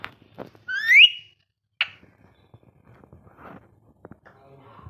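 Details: Pet ringneck parrot indoors giving a loud rising whistle that sweeps upward and levels off, followed by a short harsh note and quiet soft rustles and clicks.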